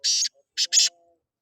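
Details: Black francolin (kala teetar) calling: one longer harsh, rasping burst followed after a pause by two quick grating notes, with a faint steady tone underneath.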